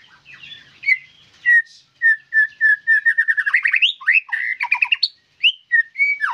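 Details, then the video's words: White-rumped shama in full song: a run of steady whistled notes speeds into a rapid rising and falling rattle, then clear scattered whistles. "MURAI BATU GACORRR FULL DURASI"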